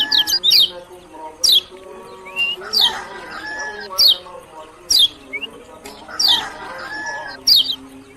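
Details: High, sharp, downward-slurred chirps roughly once a second from a lemon-bellied white-eye of Lombok, some doubled, plus a few short thin whistles and recurring lower harmonic tones behind.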